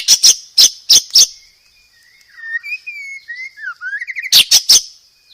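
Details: White-rumped shama master song with many varied phrases, used to train cage birds to sing freely: loud sharp high clicks in quick bursts, then a quiet run of thin sliding whistles, ending with another burst of clicks.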